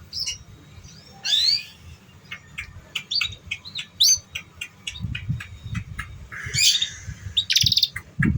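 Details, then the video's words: Canary song used to coax young untrained canaries: a rising chirp, then a rapid series of short clicking notes, ending in busy high chirps and buzzy bursts over a low rumble. "Pancingan Suara Kenari Paud"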